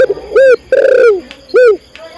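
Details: Spotted dove, a female calling to the male, with a short coo, a long slurred middle coo and a short closing coo, loud and close with little background.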